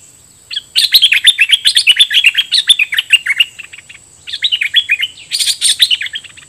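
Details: Caged red-whiskered bulbul used as a decoy, taken into the forest and singing at wild birds with doubled song phrases. A rapid run of bubbly, warbling notes fills about three seconds, pauses briefly, then resumes in a second lively burst over a steady high hiss.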